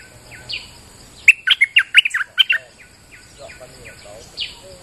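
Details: Bulbul singing in rainy weather, used as a lure recording: a quick run of loud, bright chirping notes in mid-song, with faint drawn-out whistles and softer chatter before and after.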